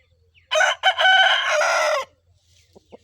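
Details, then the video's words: Aseel rooster from Pakistan crowing: a loud harsh crow of about one and a half seconds, opening with two short choppy bursts and then a long held rasping note, followed by faint low background hum. "Aseel murga ki awaaz || aseel rooster crowing || aseel murga azan"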